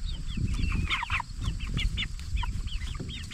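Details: Flock of 44-day-old Jumbo Cornish Cross broiler chickens raised for meat, giving dense overlapping high peeps, each a short downward-slurred chirp, several per second, over a constant low rumble.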